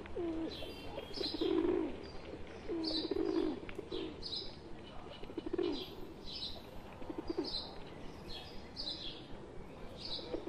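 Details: A mixed group of wild pigeons and one pet pigeon in India, giving deep, burry coos that come strongly at first and then fade. Steady high chirping from small birds continues throughout.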